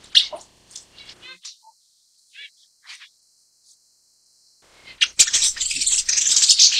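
Broad-tailed paradise whydah giving short, high chirps and buzzy notes in scattered bursts, then a pause before a stretch of loud rustling and scraping.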